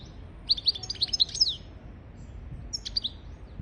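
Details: Goldfinch song from a teaching recording for goldfinches and canaries: a cluster of sharp, high, slurred chirps lasting about a second, then a pause and a few more scattered tweets.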